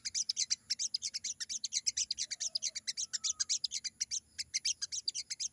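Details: Lively wild sogon delivering an unbroken run of very high, clipped chirps, about eight to ten per second, steady and insistent over a quiet background.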